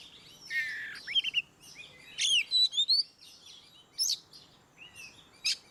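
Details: Oriental magpie-robin in ngeplong style, meant to prompt birds that rarely sing: a buzzy descending phrase, then clear whistles sweeping up and down, separated by pauses, with isolated sharp notes.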